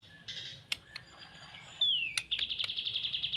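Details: White-rumped shama kept as a fighter with a champion temperament: a thin descending whistle slides into a fast run of repeated bright notes, with a few sharp clicks earlier on.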